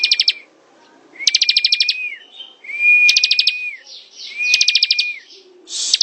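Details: Ngebren-style song of a ciblek (bar-winged prinia): high chattering bursts of rapid ticks, each riding over a flat whistled tone that rises in and drops away at the end, repeated about every 1.5 seconds.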